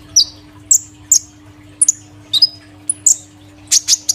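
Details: Caged kolibri ninja sunbird, recently moved to a new cage, giving scattered high squeaky chirps with short pauses between, a faint electrical hum underneath.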